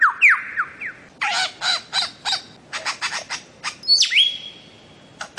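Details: Bird-of-paradise, Papua and Aru Islands, a tutoring recording for songbirds: a few falling whistles, then a rhythmic run of harsh broadband squawks, and a sharp note trailing into a long steady whistle.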